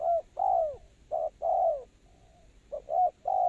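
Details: Spotted dove calling as a trapping lure: a run of low, mellow coos, short notes alternating with longer drawn-out ones in uneven pairs, with brief silent gaps and a quiet rural background.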